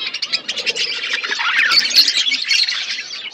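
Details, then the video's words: Budgies in a flock feeding on winter food, a continuous busy chorus of high chirps, warbles and squawks overlapping without pause. "Beautiful budgies flocks Budgies parrots winter foods"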